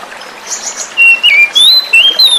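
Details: Oriental magpie-robin, forest-caught, singing as a luring sound to prompt silent kacer to sing: after a second of quiet, four loud, clear whistled phrases that slide down then jump high, with faint flowing water beneath.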